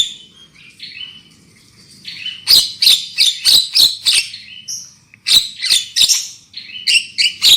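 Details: Lure recording of a black-winged myna, for prompting loud singing: opens with soft whistled phrases, then a fast series of loud, clipped, buzzy notes repeated about three times a second, broken by short whistles.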